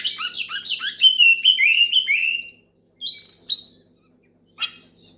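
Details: Oriental magpie-robin in loud rival-calling song: a fast stream of tumbling whistled notes sliding downward, followed by a couple of high sharp phrases after a pause.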